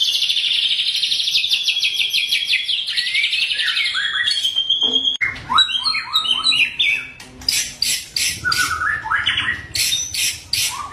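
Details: Wild white-rumped shama singing in the forest at Bahorok: a long, rich run of fast, varied whistled phrases. Rapid trills slide and step between high and mid pitches, then break into sharp, clipped notes and bright bursts.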